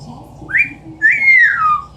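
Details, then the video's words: Pet female Amazon parrot indoors, mimicking sounds: a two-part wolf whistle, a short upward-sliding note, then a longer whistle rising and falling away, over a faint low room hum. "The many sounds of an amazon parrot."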